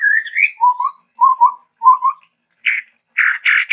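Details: Chestnut-rumped babbler of Sumatra giving varied song: a rising whistle, three low paired whistled notes spaced evenly, then harsh buzzy chatter bursts.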